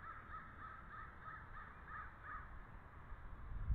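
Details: Bald eagle at the nest while incubating and caring for eggs, live nest camera at 11:45 am on 19 February 2013: a soft run of seven quick chirping notes at an even pace, under steady low rumbling noise.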